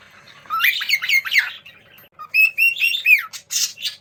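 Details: Juvenile cockatiels communicating as they play, giving clustered scratchy chirps, then a pause and a run of clear whistled notes ending in a sharply falling squawk, with a few short buzzy bursts afterward.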